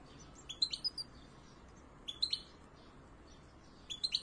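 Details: Nestling European goldfinches fed inside the nest by both male and female parents, giving three bursts of shrill, high squeaky chirps roughly every one and a half seconds, each a quick cluster of rising notes.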